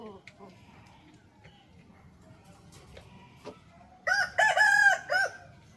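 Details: Rooster crowing once, a loud, harmonic, wavering crow lasting about a second and a half that ends abruptly, after a quiet stretch with faint clicks and a low background hum.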